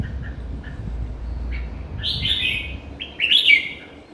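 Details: Red-whiskered bulbul, a kept bird, giving short bright warbled phrases around the middle and end, the last one louder with quick up-and-down notes, over a steady low background hum.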